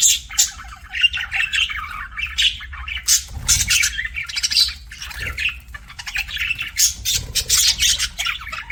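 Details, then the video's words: A long, steady stream of budgerigar chirping: fast, scratchy warbles and squawks, with dense high notes and short pauses, repeated across the whole clip. "BUDGIE CHIRPING SOUNDS"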